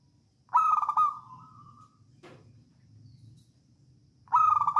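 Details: Wild local zebra dove from Java performing songgo ratu song, recorded as a lure to get doves singing. Two loud stuttering coos, each trailing into a fading purr, come almost four seconds apart, with a faint tap between them.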